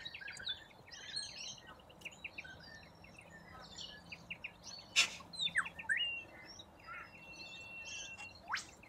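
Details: Large flock of corellas feeding from root grass in Australia; rapid, irregular chirps and harsh screeches, roughly a hundred a minute, with loud broadband squawks around the middle and a drawn-out rising screech at the end.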